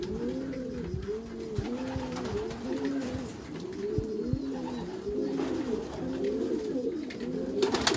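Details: A chorus of Meulemans racing pigeons in their backyard loft, dense overlapping low coos in rhythmic rising-falling arcs throughout, ending with a sharp rattle.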